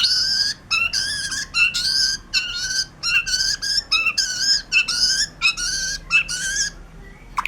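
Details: White-rumped shama singing vigorously, repeating loud, rich whistled phrases with harmonics, each about half a second long and separated by brief pauses.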